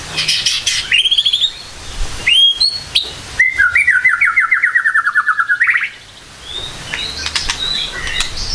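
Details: White-rumped shama in morning song: an opening of sharp whistled notes, then a long rapid rattling trill of evenly repeated notes that slides gradually downward, ending abruptly before quieter chirps.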